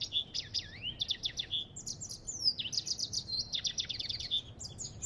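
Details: Lively twittering from an African goldfinch: quick high chirps, downslurred whistles and short buzzy trills run together in a steady stream, with a soft low hum underneath.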